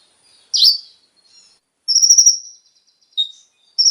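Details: Brown-throated Sunbird (konin) song, played to prompt captive birds to sing. A few sparse high notes: a buzzy trilled burst, a longer rattling trill, then a brief lower whistle.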